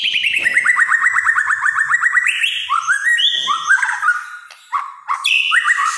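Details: White-rumped shama, a singing bird in a kretekan (rapid-fire) style, delivers a fast train of rattling notes that slide downward, then loud whistled phrases that jump between pitches.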